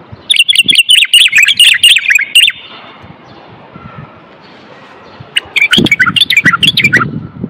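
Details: Male Moroccan common bulbul in song meant to spur other males to sing and ready females for mating: two bursts of quick, repeated bright chirping notes separated by a quieter gap with faint low noise.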